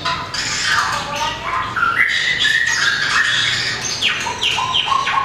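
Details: Caged white-rumped shama, a mini long-tailed bird kept for competition singing, delivers varied whistled phrases with rising and falling notes and sharp chips, continuous through the recording amid faint background chatter.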